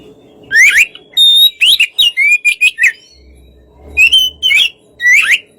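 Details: Relaxed Oriental magpie-robin song, used to provoke other, less aggressive magpie-robins into answering: loud, clear whistled notes, mostly rising slurs, given in short separate bursts with brief silences between them.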